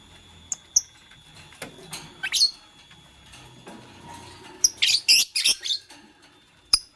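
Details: Green Fischer's lovebird with a pastel bird, nest-building, giving sharp high chirps in scattered bursts, some doubled and clustered closely near the end, with soft rustling and tapping between calls.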